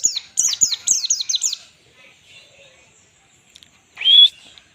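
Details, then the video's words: White-eye singing in the ngalas style for training birds: about nine quick, high, falling notes in a rapid run, then a pause and one steady, slightly rising whistle. "pleci full ngalas standar || zosterops"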